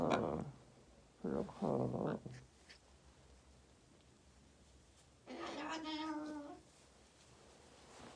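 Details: Pet parrot that escaped its cage, rousing its late-sleeping owner in a small room: a brief cry at the start and a pair of short calls around one and a half seconds, then a strong harmonic, buzzy call lasting over a second.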